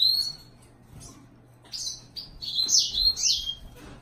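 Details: Yellow-fronted canary opening with a thin high whistle, pausing, then breaking into a rapid burst of sweet, twittering and rolling notes, over a faint low electrical hum.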